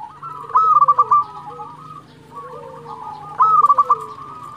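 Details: Energetic local zebra dove song, meant to spur rivals to reply: two trilled, warbling coo phrases with lower, drawn-out coos underneath.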